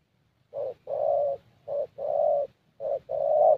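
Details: ["Spotted Dove, young 'thổ' type, cooing during a decoy session in Gia Lai, Vietnam. After a brief quiet start come three deep, smooth phrases, each a quick note leading into a longer sustained one."]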